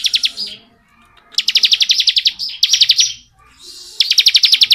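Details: Bar-winged prinia singing in the long continuous 'ngebren' style: fast, even bursts of sharp metallic notes, about eleven notes a second, in three runs separated by short pauses.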